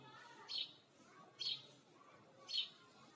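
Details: Sparrow chirping, soft bright single chirps about once a second, against a quiet hiss of background noise.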